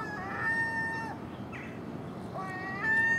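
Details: Early-morning common gull at household garbage alongside magpie and crow; long, level, nasal mewing cries, one drawn out at the start, a shorter one later, and another beginning as the clip ends.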